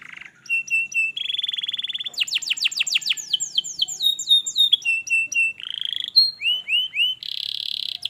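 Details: Canary singing, used to prompt a reluctant canary to sing: varied high phrases of buzzy rolls, rapid downslurred trills and sweeping whistled notes, changing tour every second or so, loud and clear.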